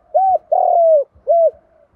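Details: Spotted dove calling with the 'giọng đồng' voice: a three-part coo phrase, a short arched note, then a long steady drawn-out coo, then another short arched note, all low and mellow.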